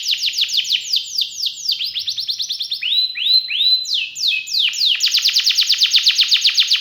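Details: Gacor canary song with elaborate cengkok phrasing and rich isian: quick downward-sweeping notes in bursts, short buzzy chatter, then a long fast run of evenly repeated bright notes closing the phrase.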